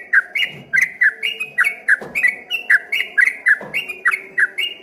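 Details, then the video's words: Energetic 'ropel gacor' song of a yellow-vented bulbul, which sounded like a straw-headed bulbul from afar: a steady stream of short liquid chirps, each dipping then lifting, roughly three per second. "dari kejauhan di sangka suara burung CUCAK ROWO setelah dihampiri ternyata cuma TRUCUKAN ROPEL GACOR"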